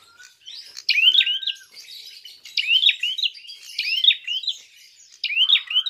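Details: Lure recording of a prinia's fighting call to provoke other birds: rapid, shrill chirping phrases of sliding notes, repeated steadily, with a faint low whistle near the start.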